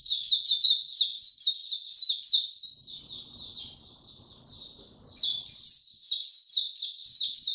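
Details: Caged Oriental white-eye performing buka tiong aw song, 25 January 2022, after sleeping late: fast repeated high chirping phrases, a softer trailing passage in the middle, then another loud rapid burst.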